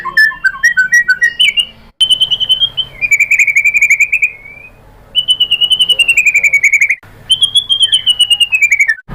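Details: Shama recording said to be a female calling the male, meant to draw a response: stepped rising notes, then several long fast trills separated by short silent gaps, pitch sliding downward near the end.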